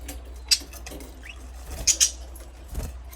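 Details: Scattered short, high budgerigar chirps, one early, then a close pair, with a soft rising squeak between and light rustling beneath a steady low hum.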